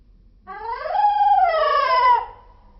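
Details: A single stretched cockatiel call, slowed down, swelling over nearly two seconds with a rich harmonic tone that rises, holds steady and slowly falls.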